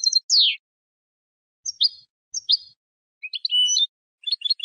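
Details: European goldfinch hybrid song for teaching young birds: a sharp downslurred whistle, two brief twittered notes after a pause, then scratchy chattering phrases, with quiet gaps between.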